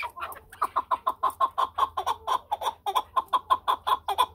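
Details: Chukar partridge giving a steady run of clucking chuk notes, about four to five per second without pause, each note mid-pitched with bright overtones, in a quiet background.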